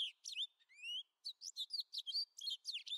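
A society finch sings a fast, jumbled string of high buzzy chirps and thin rising whistles, with notes packed closely together and no other sounds.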